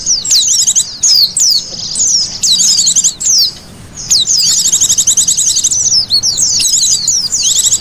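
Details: White-eye lure call used to attract birds: very high, rapid chirping with fast down-slurred notes and buzzy trilled bursts, in dense overlapping phrases broken by short pauses.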